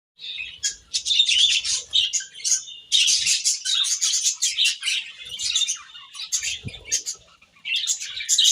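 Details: Several budgies chirping while eating grass, a dense chatter of quick high twittering notes and short warbles that pours on almost without pause, broken by a brief silence near the end.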